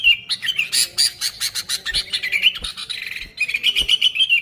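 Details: Sooty-headed bulbul song used as a lure: an opening clear whistle, then loud rasping chatter, a brief buzzy trill, and closing whistled notes repeated quickly.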